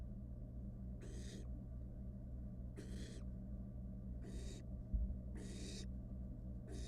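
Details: In a monitored nest box a wild barn owl nestling plays with its dinner, giving softer raspy hisses every second or two, with a low hum and a single faint thump midway.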